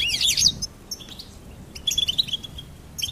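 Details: Short goldfinch phrase: a loud bright twittering burst, a pause, then a few thin chirps and a quick trill.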